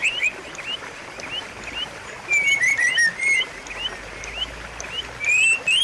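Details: Lure song of the white-rumped shama, meant to coax a bird that stopped singing into singing again; short rising whistles repeated at a quick pace over background hiss, with louder slurred phrases in the second half.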